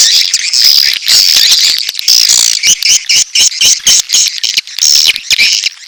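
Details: Swiftlets calling for mating alongside chicks: high, dry, buzzy chatter from many birds, delivered in choppy bursts roughly two per second with short gaps.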